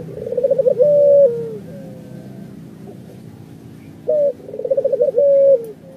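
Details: Barbary dove (local 'puter'), a pet bird called 'gacor', meaning lively and vocal: two low, mellow coos about four seconds apart, each a quick rolling trill that runs into a long, smooth drawn-out note.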